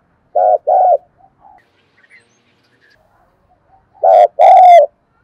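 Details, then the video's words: Two double coos from a spotted dove ('thúc gù' style), the first pair soft and mellow, the second much louder with a rough, overtone-rich edge, with near silence between them. "cu gáy thúc gù"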